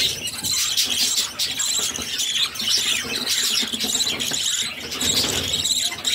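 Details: Six budgerigar chicks being fed by their mother, giving a dense, continuous high-pitched squealing chorus with rapid overlapping chirps and little pause throughout.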